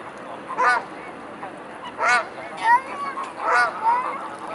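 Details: Mute swan flock gathered at Blaues Wunder on the evening of 22 May 2016, 19:25. Loud, hoarse, harmonic honks come roughly every second, mixed with thinner rising notes from other birds in the group.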